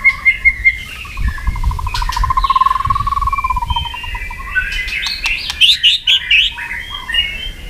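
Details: White-rumped shama in fighting song, used to train and provoke other birds: clipped whistles open, then a long fast trill that rises and falls, followed by jumbled bright whistled notes and sharp clicks, with low background rumble.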